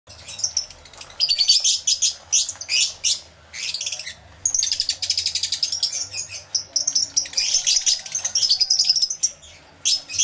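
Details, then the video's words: Many lovebirds calling in an aviary, recorded with a camera and two external microphones: dense, high, shrill chirps in rapid overlapping bursts, with brief pauses near the two- and four-second marks. "1 Hour Lovebird Sounds Aviary Series V1"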